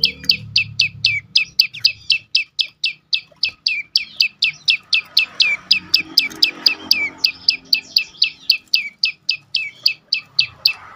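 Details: Prenjak lumut prinia pouring out full 'dorr' song as a lure for silent birds; a long, fast, regular stream of high descending chirps, around four each second, with faint low sound at the start.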